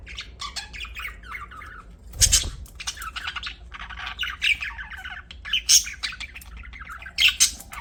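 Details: Pet budgies chirping, with a continuous scratchy warble broken by loud sharp squawk-like notes, a brief low thump near two seconds, and intermittent high clicks and chatter throughout.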